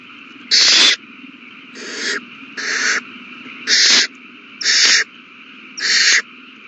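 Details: Owlets on March 27, 2020, begging as they are fed a big meal: six rasping, hiss-like screeches of uneven loudness at irregular gaps of about one second, with a faint constant hum underneath.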